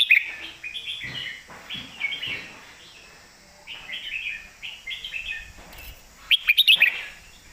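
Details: Caged red-whiskered bulbul singing loudly in the southern Thai master-song style: bright warbled phrases in short bursts separated by pauses, ending with a run of sharp rapid clicking notes.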